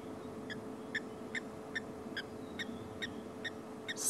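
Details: A Blacksmith Lapwing at Sydney's Dam, Sabi Sand, South Africa, at sunset in February during a drought, gives sharp, metallic 'tink' notes, about nine in steady succession, two or more each second, like hammers on an anvil, over a low vehicle hum.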